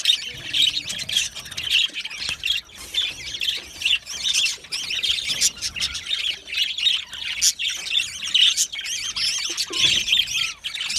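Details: Budgerigars chattering in an aviary, a steady overlapping flow of high, sharp chirps and squeaky notes repeated in quick pulses.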